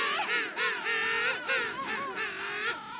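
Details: King penguins in a noisy colony: a rich harmonic trumpeting call with rapid warbling pulses, several wavering phrases run together over three seconds.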